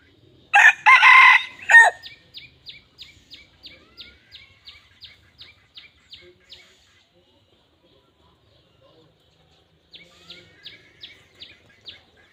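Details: Red junglefowl giving a loud, harsh crow of just over a second. A long run of short, sharp high ticks follows, roughly four per second, then a pause and a second run of ticks.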